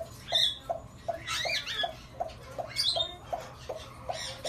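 African grey parrot with bursts of whistles and rasping squawks over a steady, low clicking note repeated about three times a second.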